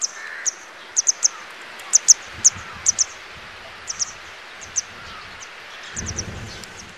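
Grey wagtail giving sharp, high, metallic 'tsit' calls, singly or in quick doubles and triples, about a dozen in seven seconds; brief low rumbles of wind.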